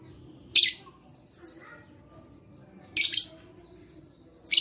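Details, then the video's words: Lovebird recorded 11/4/21, its song meant to stimulate reluctant lovebirds to sing: strident, shrill chirp bursts roughly every two seconds, separated by short falling whistles and softer squeaky notes. "Begini Terapi Lovebird Malas Bunyi Cocok Untuk Memancing Bunyi Semua Love Bird"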